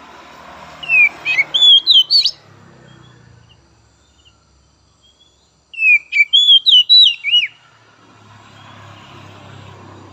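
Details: Oriental magpie-robin song for stimulating untrained young and spotted 'trotol' magpie-robins: two quick bursts of varied, chattering whistled notes with slurs and chips, set against a noisy background hum and rumble.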